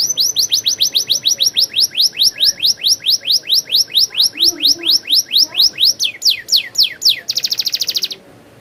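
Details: Canary singing a rolling song: a long run of fast downslurred whistled notes, evenly repeated, quickening near the end into a rapid buzzy trill before stopping.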